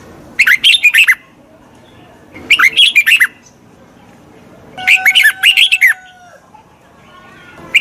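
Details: Song of a red-whiskered bulbul played for training a wild-caught bird: three short bursts of bright, chattering whistles about two seconds apart, with a steady faint tone under the third phrase.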